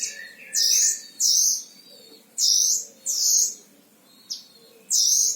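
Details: Oriental white-eye, a kept bird from Sragen, Central Java, Indonesia, described as a frequent singer with long songs: loud, high, squeaky whistled bursts about half a second long, given roughly every second, with faint lower twitters between them.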